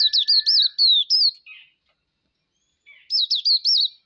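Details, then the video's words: Auriventer white-eye, locally called pleci, giving high, wavering whistled phrases of five or six wobbling notes. A short pause follows, then a similar phrase repeats. "Mataputeh (Auriventer)"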